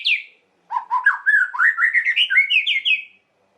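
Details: White-rumped shama song for provoking emotion in other shamas: a short high note, a pause, then a fast run of rich warbled notes rising steadily in pitch over about two and a half seconds.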